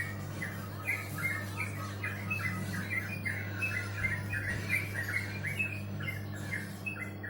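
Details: Bird chattering with brisk, scratchy chirps, roughly three each second and irregularly spaced, over a continuous low hum and light background noise.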